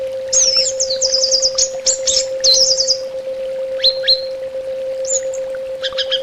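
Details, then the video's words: Orange-headed thrush song on a bird-therapy track: a long run of rapid, buzzy, sliding high notes, then sparse rising whistles after short gaps, over a low constant hum. "SUARA TERAPI BURUNG ANIS BATA"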